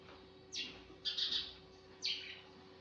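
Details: A sparrow gives three bright, sharp chirps that drop quickly in pitch, about one each second, over a faint steady hum, in the morning.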